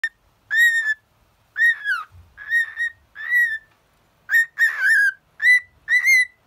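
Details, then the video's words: A happy pet cockatiel sings a run of about nine clear, slightly arched whistles, each under a second and evenly spaced, in a quiet room. "Little parrot singing and happy"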